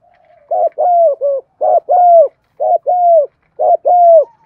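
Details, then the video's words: Spotted dove serving as a decoy to attract wild birds, in the 'giọng thổ' voice: four quick phrases of low, hollow coos, each a short note, a longer arched hoot and a clipped tail, about once a second. "Chim Cu Mồi Nhiều Bài, tiếng chim cu gáy kích bổi nhanh nổi"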